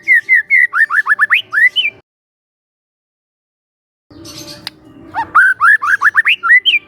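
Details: Young forest White-rumped shama training lure: a rapid string of rising whistled notes, a long pause, a brief noisy burst, then another quick series of upswept whistles.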